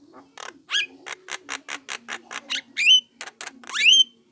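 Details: Young Javan myna giving lure calls to provoke other mynas: steady series of about a dozen dry, raspy clicks, interrupted by a buzzy squawk and two loud, clear, rising then falling whistles.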